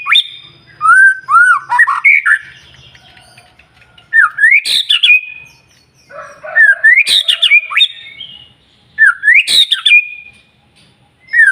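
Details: White-rumped shama song used to stimulate other shamas to sing, with harsh squawky bursts capping rising whistled phrases in several spaced bouts over a faint low hum.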